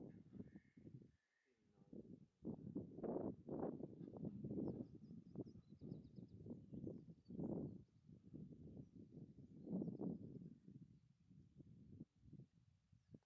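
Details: Black grouse (Lyrurus tetrix) giving a steady, low, bubbling and cooing chorus in overlapping rolling phrases, with faint high chirps in the background.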